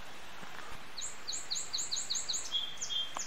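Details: A Chipping Sparrow singing loudly in early morning in Number 2 Canyon, Wenatchee, Washington, among sagebrush hills and creekside trees: a fast, dry trill of high chips, about six per second, over low background noise, then a thin, steady whistle.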